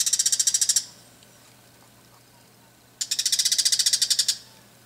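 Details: Bull-headed shrike in a garden in the evening, warning of a nearby cat and then threatening the person filming: two bursts of rapid, shrill, hard clicking chatter like flint being struck, about fifteen notes each, separated by two seconds of quiet.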